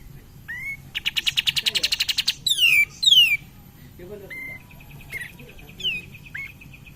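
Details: Song of an active cream-vented bulbul used as a lure for other birds: a fast run of repeated buzzy notes, two loud descending whistles, then softer short whistles and chips over a low hum.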